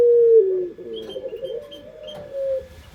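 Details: Barbary dove (puter pelung) cooing, used as a lure: a long steady low note that drops briefly, then a wavering drawn-out coo with faint high chirps from other small birds behind.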